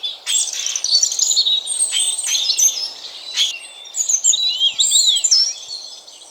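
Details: At daybreak in a thick spring forest, a European robin delivers its characteristic mellow yet constant trill: rapid high tinkling and sliding whistles strung into near-continuous phrases, with brief sharp ticks between them.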